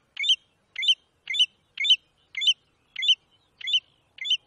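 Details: American golden plover, called batuiruçu in Brazil, repeating a short, sharp, ringing note eight times at an even pace of about two per second, with no background noise.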